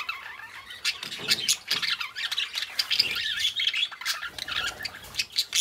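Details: Busy warbling of a pair of pet budgerigars: overlapping scratchy chirps, clicks and squawky notes run without pause, with a few soft thumps beneath.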